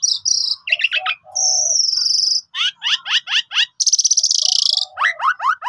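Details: Pied myna singing a long full-isian song, used as a lure to start silent birds singing: high whistles, clipped chirps, a sustained thin buzz, a series of sharp falling notes, and a loud rasping burst.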